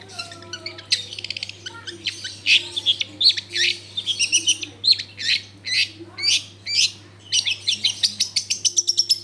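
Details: Long-tailed shrike in full song, used as a lure to get other shrikes singing, recorded in a crowded residential area: rapid harsh chattering notes and squawky bursts, dense and varied, over a steady low electrical hum.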